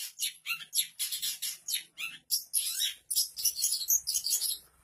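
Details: Long-tailed Shrike singing vigorously with a rich repertoire that mimics other birds: a fast, dense run of high scratchy chirps and buzzy notes, almost without pause, with a faint low hum underneath.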